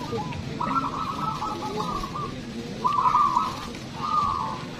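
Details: Zebra dove at a local singing competition, giving three cooing phrases at a steady mid pitch, each about a second long with a rolling, slightly trilled texture, over a constant murmur of background noise.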